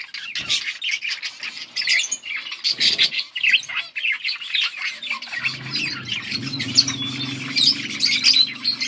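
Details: Parakeets, budgerigars chirping and singing on August 19, 2024: rapid bursts of scratchy chirps and squeaks from several birds, with a steady low hum joining in the second half.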